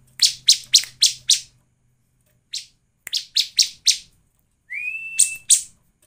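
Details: Bar-winged prinia, played as a lure to get other prinias singing, gives bursts of sharp, high buzzy notes, four or five in quick succession, then a rising whistled slur and two more buzzy notes.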